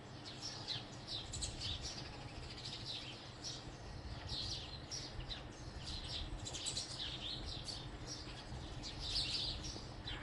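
House sparrows chirp continuously in a dense, overlapping chatter of short, bright notes, over a low background rumble.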